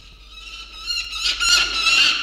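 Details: Peregrine falcon in the evening around a tower, October 2022: harsh, rising scraping call building in loudness over two seconds, with a steady tonal background hum.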